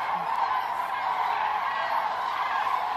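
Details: A large common crane flock at its roost gathering at the Milicz Ponds in Poland, September 2023, gives a constant, thick chorus of overlapping trumpeting calls.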